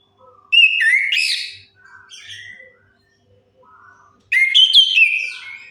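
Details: Song of a chestnut-capped thrush used to stimulate silent birds: two loud, rich outbursts of mixed whistles and rapid notes, separated by soft twittering phrases.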